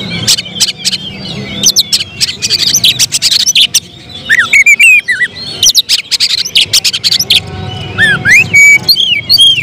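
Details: Contest-prospect oriental magpie-robin delivering bursts of song under pressure: loud varied phrases of dipping and rising whistles mixed with hard clicks and rapid chattering notes, fairly continuous.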